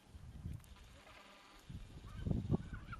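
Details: Gentoo penguin on the Antarctic Peninsula, recorded December 2011, giving hoarse, bleating brays: a brief burst early, then a louder, pulsing run near the end, over a low rumble of wind.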